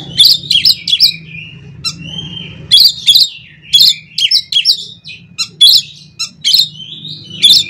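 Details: Oriental magpie-robin (kacer) singing an intense "isian konslet" song used as a lure to set other magpie-robins singing; repeated harsh rasping phrases and sliding whistles, with a faint low hum.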